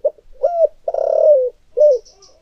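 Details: Thổ-voiced decoy spotted dove: quick hoots, a rising coo, a long pulsing note gliding down, and a short final coo. Faint high chirps are heard at the end.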